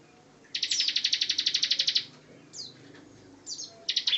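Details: Bar-winged prinia singing actively: a fast, even trill of about sixteen sharp high notes lasting a second and a half, followed by scattered short downslurred chips and a brief closing burst.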